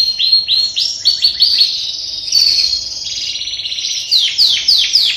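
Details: Captive canaries newly put together as breeding pairs at the start of the 2021 breeding season; a loud, high song of rolling trills and quick rising sweeps, with bright chirping phrases near the end.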